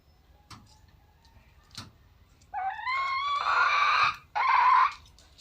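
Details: Wild red junglefowl crowing: one long call starting with a rising, ringing harmonic note, then a harsher, broader drawn-out section. It breaks briefly and ends in a final strained burst, with faint clicks beforehand.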